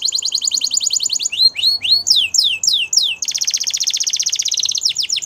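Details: Male Belgian canary singing a rapid rolling trill, a few slower swooping whistles, then a long dense buzzy roll, all steady and high-pitched.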